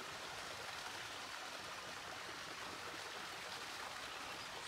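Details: Continuous hiss of flowing or splashing water, with no animal voice standing out.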